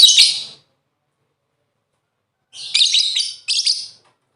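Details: Lovebird lure sound to encourage singing: one harsh shrill burst, a pause of two seconds, then two quick chattering phrases.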